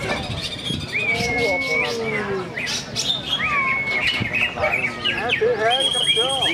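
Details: A greater green leafbird at a songbird contest sings a fast, varied run of clear whistles, rising and falling slurs and chattering phrases, with crowd voices, applause and music behind.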